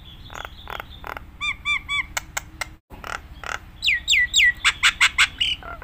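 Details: Nias hill myna in lively song used to tutor other mynas: short clicks, three arched bell-like notes, sharp snaps, then a fast series of falling whistles, over a steady low hum.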